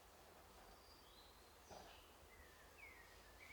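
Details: A European robin sings in forest to mark its territory: thin, high, varied notes, a few sliding whistles and short trills with irregular pauses, over a steady background hiss.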